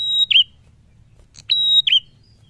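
A prinia repeats a loud two-part phrase about 1.5 seconds apart: a steady, high whistle that drops into a lower, wavering note. A faint low hum underneath.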